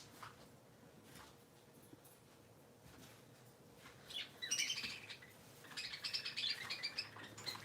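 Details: Three pet parakeets on a Sunday morning chatter in quick, scratchy, high-pitched warbles and squeaks that begin after a quiet start and keep up in busy bursts.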